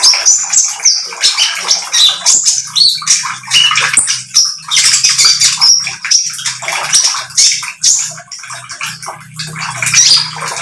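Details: Lively, vocal oriental magpie-robin with speckled plumage, used as a lure so that other birds join in singing; nonstop high twittering with squeaky notes and sharp chips packed together, a faint low hum underneath.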